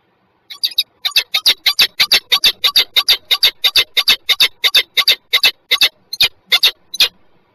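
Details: Juvenile peregrine falcon calling before flying off, Żerań, Warsaw, Poland, 14 November 2023: a loud, rapid series of harsh, clipped notes, about three per second, in an even rhythm over quiet surroundings.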